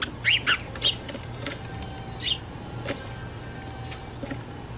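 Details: House sparrows in Toronto, Canada: a few short, bright chirps clustered at the start with scattered fainter chips later, over steady low traffic-like hum and clicks.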